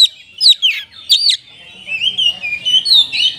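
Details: Oriental magpie-robin in a cage, singing to stimulate sluggish caged birds: a few sharp whistled notes, then quieter, drawn-out, wavering whistles.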